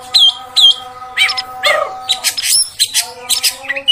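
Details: Oriental magpie-robin, female sound used to stir males into singing at length; two sharp whistled notes open, then a jumble of chirps, buzzy bursts and whistles, with a steady drone beneath.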